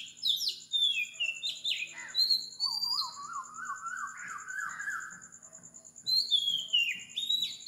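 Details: Oriental magpie-robin at 4 am in Sri Lanka singing falling whistled phrases, while a second, lower wavering whistle rises slowly beneath them midway; a steady pulsing insect trill sounds throughout.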